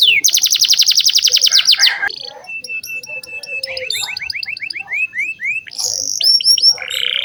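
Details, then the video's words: Canary song played to train young canaries: a rapid rattling trill, then a long steady whistle, a run of quick rising sweeps and ending buzzy rolls. "Pancingan kenari gacor buat kenari paud"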